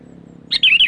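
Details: Sooty-headed bulbul calling, played as a lure for wild birds: a single short bubbly phrase of quick, warbling whistled notes, loud and clear over a faint low hum.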